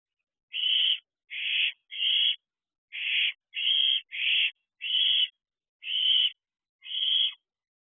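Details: Two wild owlets at an owl box at 3:41 am on 27 June 2023, one already able to fly, calling together for food: nine harsh, hissing screeches of about half a second each, spaced irregularly over eight seconds, with silence between.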